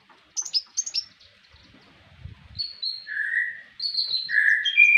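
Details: Brown-throated sunbird (konin) song used to tutor kept songbirds: a few sharp high chirps, a pause with faint low thumps, then drawn whistled notes alternating between high and lower pitches.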